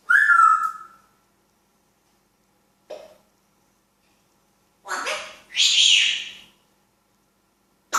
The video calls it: Talking African Grey parrot